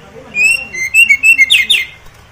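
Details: An Oriental magpie-robin (Copsychus saularis) sings a quick phrase of clear, high whistled notes, followed by two harsh, scratchy notes at the end.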